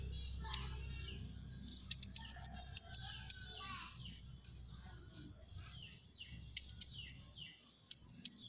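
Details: High, needle-thin notes from a Van Hasselt's sunbird (Leptocoma sperata), a popular kept songbird, come in rapid strings of up to nine ticks. The strings are separated by pauses with faint, scattered twitters.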